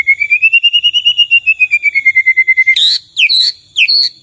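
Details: White-rumped shama among other answering shamas: a long, even, slightly wavering whistled trill that slowly falls in pitch, followed by three short, bright, upward-flicking notes.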